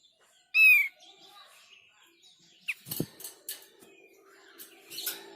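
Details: Thick-billed White-eye song, said to make every one of its kind answer: one loud, clear, downslurred whistled note, then soft scattered chirps and short clicks.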